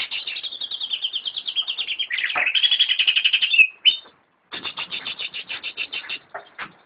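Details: Greater green leafbird in a private collection pours out a long, rapid stream of ticking, buzzy notes that dips and rises, ending in a sharp whistle, then resumes with an even, steady chatter.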